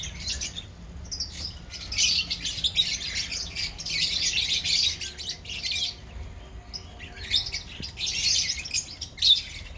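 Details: Lovebirds in a colony call in long spells of shrill, buzzy chatter broken by short pauses, with a soft low hum underneath.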